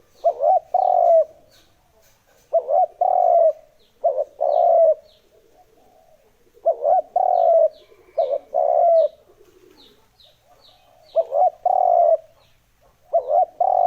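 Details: Spotted dove cooing used as a lure for wild birds: about eight phrases over fourteen seconds, each a clipped double note leading into a longer low coo, with faint high chirps from other birds above.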